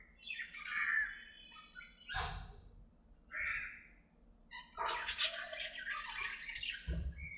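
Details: Aviary budgerigars chattering together at play, with scattered whistled notes and harsh squawk bursts separated by short pauses, plus occasional low knocks and a faint background hum.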